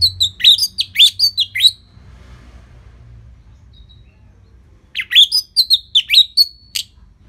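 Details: Orange-headed thrush, or anis merah, giving a relaxed, steady lure song for training songbirds: a series of loud, downslurred whistled notes with sharp high accents, silence, then a similar repeated run of ringing phrases.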